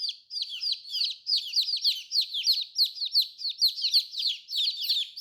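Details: Colourful baby chicks peeping: a rapid run of high, downward-sliding cheeps repeated about three times a second, several birds overlapping.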